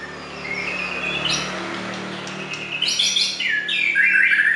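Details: Clear white-rumped shama song over a low steady hum: after a quiet start, sharp bright whistled phrases and descending slurs come in short bursts, growing louder toward the end.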